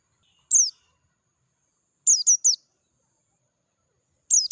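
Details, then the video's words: Oriental white-eye of the Dakun type, singing in the wild amid natural surroundings, with a clear voice: a lone sharp, high, downslurred chirp, then a quick trio of similar notes, then another single note, with silent gaps between. "PLECI DAKUN NGALAS SUARA JERNIH"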